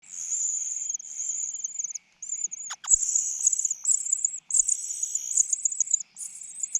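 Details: Common cuckoo chick, with the largest and reddest mouth, being fed by a foster mother bird. Thin, high, hissing begging notes run almost continuously, broken by brief pauses and a few sharp clicks near the middle.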